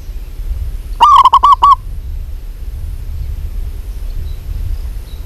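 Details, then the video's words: Local zebra dove, a vigorous caller, giving one quick burst of about six clipped, hollow cooing notes on a steady mid pitch, then quiet with low background rumble and another note starting at the end. "PERKUTUT LOKAL GACOR"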